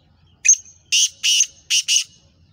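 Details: Black francolin known as Kala Teetar, a Sheedi cross with nasal chakri voice: one short piercing note, a pair of long grating buzzes, then two quicker rasping notes, delivered loudly over a faint low background hum.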